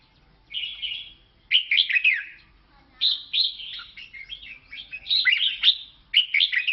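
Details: Red-whiskered bulbul of a Lao type singing: rich warbled phrases of slurred whistles, rising and falling quickly, delivered in bursts of one to two seconds with brief pauses, continuous and lively.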